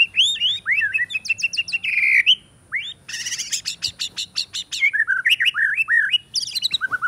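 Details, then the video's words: Caged white-rumped shama singing from an iron perch with a fighter character, mimicking other birds; rich varied song of whistled upslurs, a dense buzzy trill of rapid notes, then looping slurred whistles and chattering phrases, no other sounds. "Murai Batu Juara Gaya Sujud Bongkar Isian Cililin, Kenari Tembakan Gereja Tarung"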